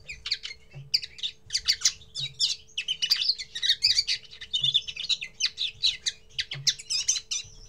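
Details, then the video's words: A common linnet gives its first song, a fast, rambling, nearly unbroken twitter of high chirps, buzzy notes and brief trills, over a faint steady indoor hum. "Первое пение коноплянки"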